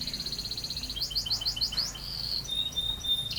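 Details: Actively singing canary, heard fairly softly, delivering a fast high trill, then a series of upslurred chirps, then a long thin whistled note that fades out.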